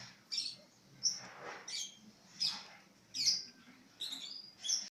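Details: Bird singing vigorously: six short, piercing high chirps spaced under a second apart, each with a quick sharp attack, over rougher background noise and a few broader rushing sounds.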